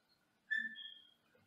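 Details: Senegal parrot in a small cage in another room gives a single clear whistle, lasting under a second and holding steady with a slight fall, in an otherwise quiet room.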